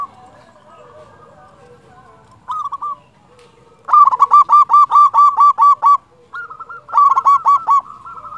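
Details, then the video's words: Zebra dove lure song for prompting silent doves to sing: after faint background cooing, a long series of loud, evenly repeated bubbling coos runs for about two seconds, then resumes after a short break. "Perkutut lokal gacor suara besar cocok untuk pancingan burung perkutut agar bunyi"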